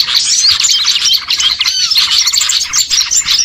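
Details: Small birds calling en masse for luring birds to be caught: bright chirps and twitters overlap densely, and a clear falling whistled slur stands out partway through.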